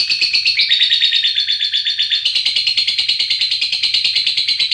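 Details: Fighter lovebird giving a long ngekek trill, used as a lure to get other lovebirds singing: a loud, continuous, high buzzy rattle of rapid pulses, briefly dipping in pitch then steadying, sustained without pause throughout.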